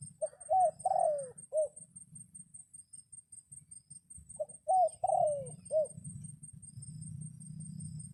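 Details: Decoy red junglefowl calling wild junglefowl as rain begins; two full crows about four seconds apart, each brisk four-note pattern ending in a long falling tail and a clipped last note, with low rumbling noise afterwards.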